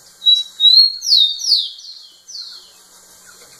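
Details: The male rufous-collared sparrow sings at a female: a pair of sweet level whistles, then a cluster of loud falling slurs and a softer final downslur, all high-pitched and clean.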